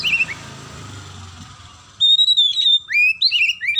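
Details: After a faint whistle and noisy background, an Oriental magpie-robin bursts into loud song, mixing in sparrow imitations: a long level whistle followed by fast, clear falling and rising whistled notes.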